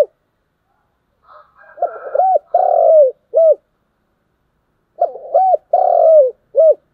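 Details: Spotted dove calling in the morning, two complete phrases a few seconds apart: a soft rough lead-in, a rounded coo, a long sustained, gently descending coo and a short final note.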